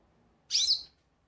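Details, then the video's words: Goldfinch: a single bright, high chirp lasting under half a second, with a rapid twittering, warbled texture. "Pintassilgo chamando"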